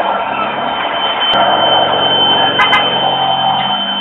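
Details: A loud, constant electrical hum and hiss fill the recording, broken only by a few sharp clicks, and no animal voice can be picked out.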